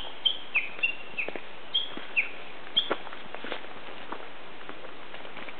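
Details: Unseen Japanese bush warbler in newly green mountains, 17 May 2010, giving song just short of the valley-crossing call: a loose series of short, sharp, high notes falling in pitch, with faint rustling and footsteps behind.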